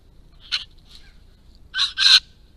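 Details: Blue-faced honeyeater, a nectar-following bird that aggressively defends food sources from other birds, giving harsh, raspy squawks: a single short note, a faint echo, then two loud back-to-back rasping bursts near the end.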